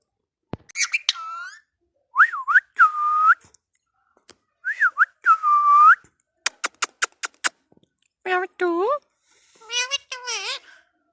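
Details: Indian ringneck parrot talking, giving a string of bent, voice-like whistled syllables that dip and rise, a quick run of sharp clicks, then warbling, harmonic phrases near the end.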